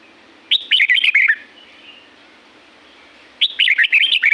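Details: Red-whiskered bulbul in the natural forest of La-U, Thailand, giving two lively chirping phrases about three seconds apart, each a fast run of whistled up-and-down notes, with a faint low hum behind.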